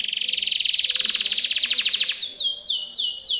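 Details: . Timbrado canary training song, meant for teaching other canaries: a fast, even buzzy trill of rapid pulses that then breaks into a series of slower, high, downward-sliding whistled notes, repeated roughly twice a second.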